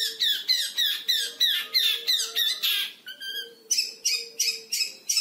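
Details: Young long-tailed shrike, five months old and captive, imitating lovebird and canary with rapid scratchy squeaks near three per second, a brief clear whistled note, then piercing repeated bursts.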